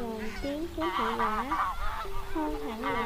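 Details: Wild geese calling the flock, a lure for net trapping: a steady stream of softer, wavering honks overlapping one another with no loud bursts.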